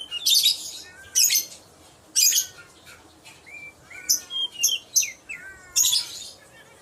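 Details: Lovebird call meant to lure other lovebirds to reply: loud shrill screeches repeated roughly once a second, mixed with short upward whistled chirps and squeaky notes between the harsh bursts.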